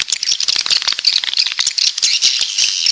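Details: Swiftlets of the 'walet pantai' kind, southern origin: fast rattling chatter of many high chirps blending into a continuous shrill buzz.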